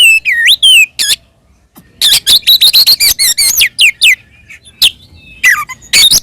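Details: Oriental magpie-robin ngeplong fighting song, a lure to provoke rival magpie-robins: looping whistled notes, a pause, then quick chattering phrases and rising and falling slurs.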